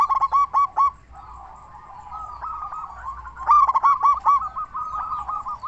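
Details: Local zebra dove with a big voice, played to get other zebra doves singing; a quick series of loud coos, a soft rolling trill, then another rapid run of sharp staccato notes.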